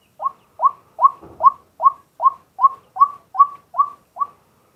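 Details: Eleven crisp, hooked notes in a regular run, a little over two per second, from a male White-breasted waterhen calling by day as a decoy; live recording with a set camera, brief low thump midway.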